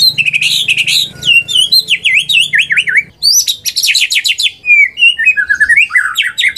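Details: Caged white-rumped shama song used to provoke silent shamas into singing: varied rich whistles, rapid V-shaped slurred notes and chattering phrases, lively and changeable, with a low hum in the first half.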